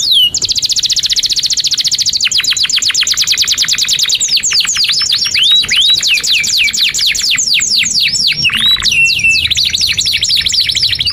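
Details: Long unbroken 'gacor' song of a canary, for training young canaries: a fast high trill, a lower rattling run of rapid notes, swooping rising notes, a brief deep buzzy phrase, then more high trilling.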